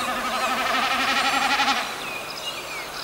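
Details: A Common Snipe drums in the sky during steep diving flights over the Biebrza–Narew marshes of northeastern Poland: a throbbing, goat-like bleat, wavering about four times a second for nearly two seconds, followed by high, thin whistles from other birds.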